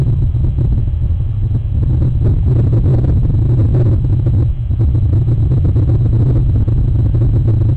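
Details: A steady deep engine rumble with the dull roar of a passing vehicle fills the whole recording, and no animal voice is heard.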